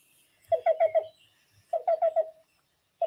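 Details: Black-billed cuckoo (Coccyzus erythropthalmus) call: soft, hollow cu-cu-cu-cu notes in quick groups of four, evenly pitched, with a pause between series.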